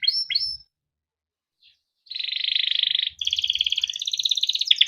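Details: Canary song meant to prompt other canaries to sing: two short downslurred chirps, a pause, then long buzzy rolling trills delivered in rapid even pulses.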